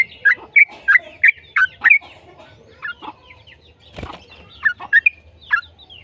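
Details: Yellow-vented bulbul singing as a lure to make other bulbuls sing: about six evenly spaced liquid chirps, then quieter notes and a brief rustling thud, then a few more chirps.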